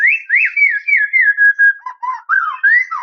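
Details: Continuous clear whistling from a white-rumped shama challenging a rival: smooth slurred notes gliding up and down at a fairly steady pitch, then a few lower dipping phrases.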